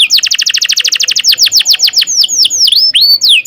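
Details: Canary tutor song for training young birds: a rapid chattering trill of descending notes that slows into spaced, sweeping whistles, bright and high-pitched throughout.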